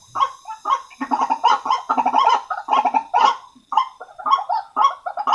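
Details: Lure recording of the white-breasted waterhen: a steady series of harsh, throaty croaks, about two per second, each a short grating burst with a rough nasal tone, some doubled or run together.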